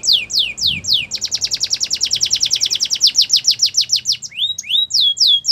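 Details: Singing canary used as a training song: a few slow swooping notes give way to a long, rapid series of sharp descending chips, ending with rising slurred whistles.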